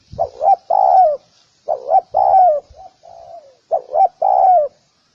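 Spotted dove giving soft, hollow cooing phrases: two quick notes then a longer drawn-out coo, repeated about every two seconds in a low register.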